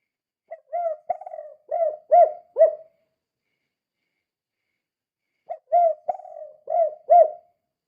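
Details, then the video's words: Spotted dove 'kuk 2' call used as a lure for other doves: two matching phrases of about five low hollow coos, each with a rough prolonged note, separated by several seconds of quiet. "Suara Burung Tekukur Gacor Kuk 2 Sangat Ampuh Untuk Pancingan"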